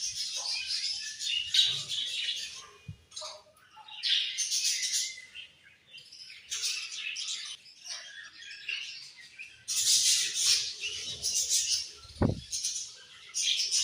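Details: Colourful budgerigars chirping: dense bursts of high, scratchy warbling chatter from several birds, broken by short pauses, with a brief low thump near the end.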